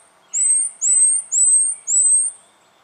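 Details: Spotted quail-thrush in Victoria, Australia, January 2012, giving four piercing, thin, high-pitched whistles. Each whistle climbs gently, and they come evenly spaced about half a second apart over a quiet background.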